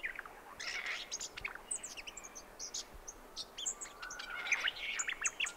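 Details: Brown Thornbill(s) on the Brandy Creek Mine Track, Mt Hotham, Victoria, Australia, 7am, 29 December 2011: a busy run of high, sharp chips and quick warbled notes, a brief clear whistle near the end; other birds possibly in background.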